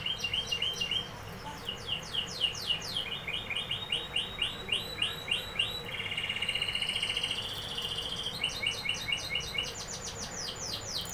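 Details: Canary song built from rapid repeated high chips and rolling trills, with a sustained whistled tour in the middle before brisk, even trills resume; low steady hum beneath.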